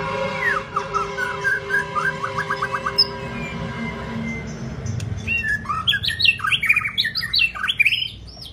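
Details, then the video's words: White-rumped shama singing long song: opening steady drawn-out tones and a rapid run of short notes, then a loud varied burst of whistled, swooping and chattering phrases. "chòe lửa hót giọng dài"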